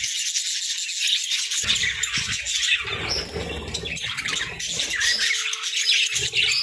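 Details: Budgerigars breeding in winter, giving busy overlapping chirps and squawks high in pitch throughout, with a low steady hum and occasional low thumps beneath.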